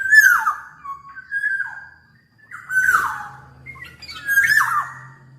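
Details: Very vocal black-naped oriole (gacor) giving harsh, downward-sweeping squawks separated by short whistles, three loud bursts in all, with a steady low mechanical hum in the background from mid-clip.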